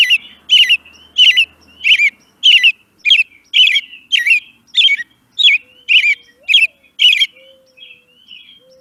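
An American Robin sings a fast run of about a dozen short, clear, warbled phrases, each bright and slightly slurred. A faint low whistle sounds near the end.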